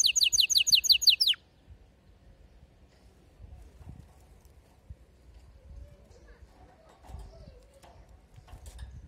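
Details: Canary, a female's mating call with a male singing. A rapid buzzy trill of evenly repeated notes lasts just over a second, then falls to quiet background with faint scattered noises.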